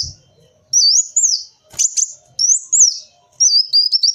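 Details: Kolibri wulung sunbird song, used as a lure sound: shrill wavering whistles that rise and fall, separated by brief gaps and a sharp click, ending in a jittery high trill.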